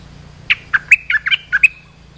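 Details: Olive-winged bulbul call for training young birds and luring wild ones: a longer run of about eight liquid, bouncing chirps, with a low steady hum underneath.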